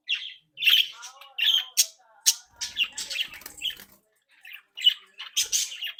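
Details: Captive-bred budgerigars, a happy, active, playful flock, chattering and twittering: rapid warbled chirps and harsh squawky notes overlapping, with buzzy rattles, indoors.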